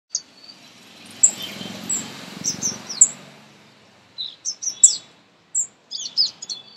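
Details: A sunbird, a common Indian bird, calling in a garden: thin, very high, sharp chips and short twittering notes in irregular bursts, with a soft low rumble of background noise early on.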